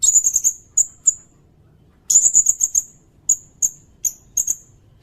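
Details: Sirindet song used for training other songbirds and luring: quick runs of thin, very high clicking notes, then scattered single high ticks spaced through the rest, with a quiet background.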